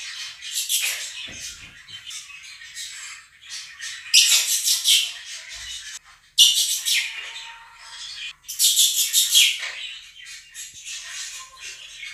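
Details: Two pet Quaker parrots loudly calling over a played recording of a budgie flock's chirping and singing; harsh, grating screams burst out in three loud bouts, with softer budgie twittering continuing between them.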